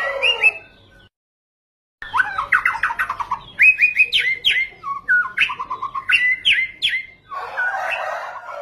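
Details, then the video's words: White-rumped shama, or murai batu, singing a lure song packed with varied phrases to provoke other birds: bright whistles, rapid chattering trills and upslurred notes in quick succession, broken by a second of silence. "PANCINGAN MURAI BATU GACOR FULL ISIAN"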